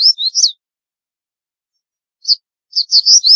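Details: Crested bunting in Rajasthan, India, giving sharp high chirped notes, a quick pair, then a pause, then a faster cluster of bright slurred notes. The background is quiet.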